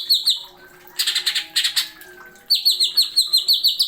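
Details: Cucak ijo, the greater green leafbird, giving masteran song: loud whistles, then a harsh broadband chattering burst, followed by a steady run of clear, down-slurred whistled notes.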